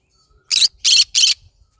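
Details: Pet green-cheeked conure of the yellow-sided form, singing in the morning: three harsh, raspy, noisy squawks in quick succession, each lasting about a fifth of a second, with brief silences between and no other clear sounds.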